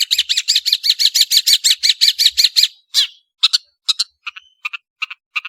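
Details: Long-tailed shrike singing vigorously: a rapid, regular train of buzzy rasping notes for about two and a half seconds, followed by scattered sharp chips and short harsh notes.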